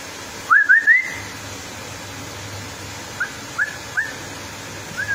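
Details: Female straw-headed bulbul opening with three quick rising whistles in a row, then spaced single upswept whistled notes at irregular intervals, with a low hum underneath.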